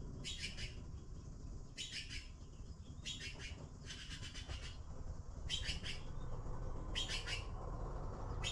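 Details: Young blue magpies awaiting food call insistently in rapid harsh, grating bursts, about six clusters of quick scratchy notes in eight seconds, against a constant low rumble.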